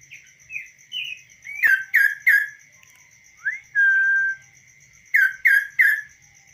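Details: Tame kaso-kaso bird singing on a hand, no cage. Short rising whistles and two sets of three loud down-slurred notes frame a long, steady level whistle, with a constant thin tone behind.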